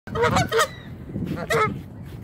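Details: Canada geese seemingly annoyed at being photographed; two quick nasal honks with rich stacked harmonics, then a pause and a third honk over low background rumble.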